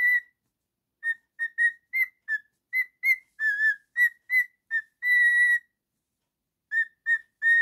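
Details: Male cockatiel, a pet, whistling a song: a brisk series of short clear notes, then one long steady whistle, a silent gap of about a second, and three more short whistles.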